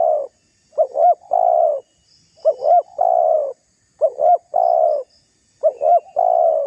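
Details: Provoking call of a spotted dove, used as a lure to anger rival doves. Each phrase has a quick pair of arched notes followed by a long, slightly falling coo, and it comes four times in close succession.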